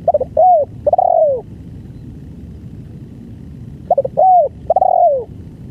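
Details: Spotted dove singing a full, long-duration song: two phrases, each of quick stuttering notes followed by a drawn-out, falling coo, separated by a pause of about three seconds, over a low steady rumble.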